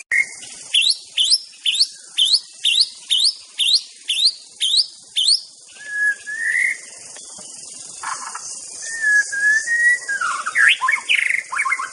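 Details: White-rumped shama singing in the wild: a string of about eleven loud, sharp upswept notes repeated every half second, then mellow whistles and a jumbled twittering phrase, over insect hiss.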